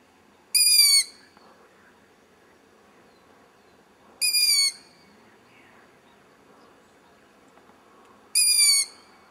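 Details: An owl chick hidden in a tree about 100 m away, recorded in low light, gives three harsh, hissing screeches, each about half a second long and roughly four seconds apart, over faint background hum.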